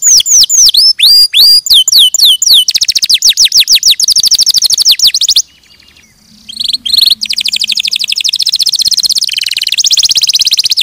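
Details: Canary song: rapid trills of repeated downward-sweeping notes at high pitch, shifting through several tours, with a brief pause near the middle before fast rolling trills resume.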